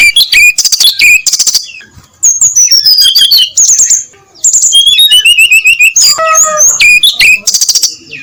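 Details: Brown-chested jungle flycatcher in early-morning ngeplong song, a loud, clear and continuous flow of high whistles, trills and fast stuttering notes. Phrases drop in pitch and are broken by brief pauses.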